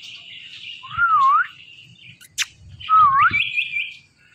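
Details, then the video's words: Indian ringneck parakeet talking, repeating the same dipping whistled word twice about two seconds apart, each with buzzy overtones, separated by a sharp click. "Indian Ringneck Talking Parrot"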